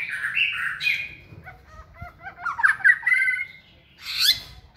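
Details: White-rumped shama training in a flight cage and singing energetically: warbled phrases mixed with short stuttering notes, a rising, scratchy stretch, and a harsh burst at the close.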